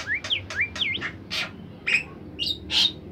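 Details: Melodious, active bimoli bird song for songbird training: a few quick slurred whistles dipping and rising, then separate harsh buzzy bursts about half a second apart.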